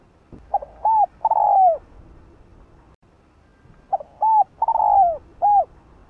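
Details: Spotted dove used as a lure bird, giving two matching phrases of soft, hooting coos, each a short note, a longer drawn-out falling coo and a final clipped note, about three seconds apart over a low background hum.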